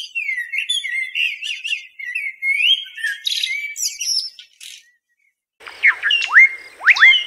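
A common blackbird gives warbling phrases that climb into high, squeaky twittering. A short pause follows, then a burst of sharp, down-slurred chirps.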